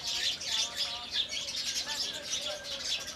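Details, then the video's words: Flock of Indian house sparrows chattering in the morning, continuous high twittering chirps running together with soft lower notes beneath. "indian house sparrow birds"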